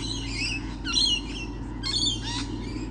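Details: Lorikeets, abundant on 28 November 2013, uttering loud rasping squawks and a few thin upslurred squeals in quick succession, against a low background hum.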